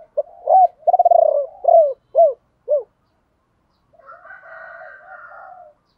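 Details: Decoy spotted dove luring wild doves with a 'ba hậu' ('bổ ba') call: a rolling trilled coo and three short descending coos. A harsher, longer, rooster-like cry follows after a pause.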